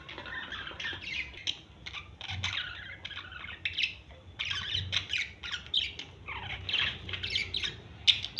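Budgerigars chatter in a fast stream of scratchy chirps, squawks and warbles, a courtship sound.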